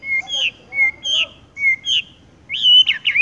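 Horsfield's bush lark singing clear, high whistled phrases, a flat note then a slurred one, three times, ending in a quick rolling trill.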